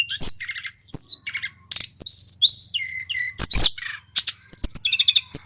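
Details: Merapi male tledekan gunung in full song used as a lure: quick mix of high buzzy trills, rising whistles and sharp clicking notes, packed tightly with short gaps.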